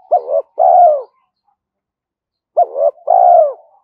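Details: Spotted dove cooing continuously to draw wild doves in quickly. Two low phrases about two and a half seconds apart, each a short double note followed by a longer arched coo that falls away, in a quiet setting.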